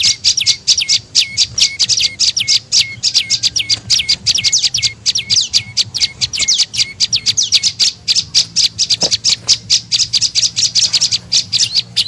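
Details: Tailorbird (prenjak lumut) call played as a bird-attracting lure. At first, fast shrill notes with falling tails; these shift into a denser stream of sharp ticking chirps later on.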